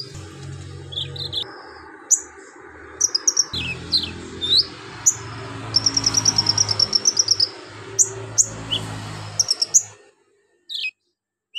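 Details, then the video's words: Javan magpie-robin singing ngobra, mixing in golden grasshopper, lovebird, cricket and cililin imitations: scattered whistles and slurs, then a fast even trill of about a dozen high notes, over steady low background noise. "KONIN GACOR NGOBRA ISIAN BELALANG EMAS LOVEBIRD CILILIN"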